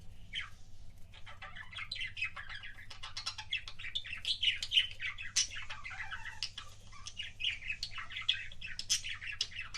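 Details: Pet budgerigar making kissing sounds: busy, rapid warbling chatter of squeaky chirps, clicks and short smacking notes, with bright high peaks scattered throughout, over a faint low steady hum.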